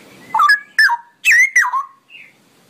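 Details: Straw-headed bulbul (cucak rowo) delivering ropelan song: four loud, rich, gurgling notes in quick succession, each sliding downward, followed by a faint high note.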